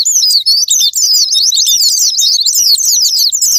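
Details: Lure recording of Japanese white-eye song for provoking kept birds to sing: an unbroken, high-pitched, hurried twitter of quick, slurred notes, busy and unvarying in loudness throughout.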